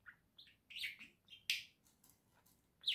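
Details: Caged pet budgerigars warbling indoors: a quick run of buzzy, squeaky chirps and rasping notes, a few louder harsh bursts, over a low background hum.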